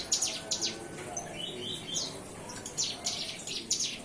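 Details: Young bar-winged prinia, recently done with hand-feeding, sings softly: clusters of faint, very high ticking chirps and a few thin sliding notes over a steady hiss.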